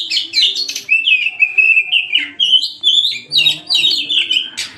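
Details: Oriental magpie-robin singing loudly as a lure: flowing, varied whistled phrases with sliding notes and buzzy accents, sung without a break.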